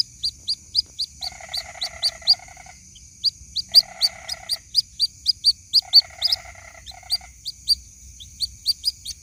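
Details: A white-breasted waterhen chick calling its mother, as a lure recording: steady rapid high chirps, with three or four short, lower, buzzy trills and a constant faint high tone.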